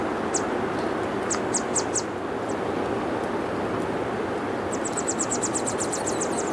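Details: Yellow warbler chicks in a nest give thin, very high-pitched calls, first a few scattered notes, then a rapid run of about a dozen near the end, over a constant loud rushing background noise.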